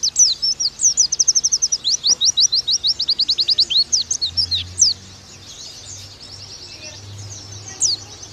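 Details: Used as a master recording for the nembak style, an oriental white-eye pours out rapid, high, thin chirps for about five seconds. Then comes a quiet stretch with only faint twittering and a low hum.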